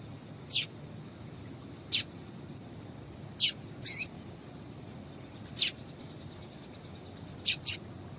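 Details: Call of a female double-collared seedeater, used to get males singing: crisp, very high, abrupt chip notes, seven in total, spaced one to two seconds apart, with a close pair near the end, against quiet background hiss.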